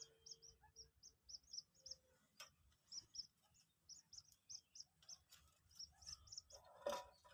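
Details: A newly hatched Common Moorhen chick aged two days, being coaxed to eat feed, gives a run of sharp high peeps in quick succession, broken by a few clicks and taps.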